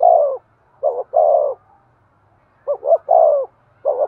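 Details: Excited cooing of a spotted dove, used to stimulate decoy birds: each phrase holds two quick soft notes and a longer descending coo, with pauses of about a second and a half between phrases.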